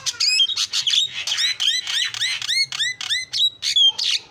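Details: Starling in lure song, pouring out rapid arching whistled notes mixed with grating squawks, each phrase rising then falling, roughly three or four notes a second without pause.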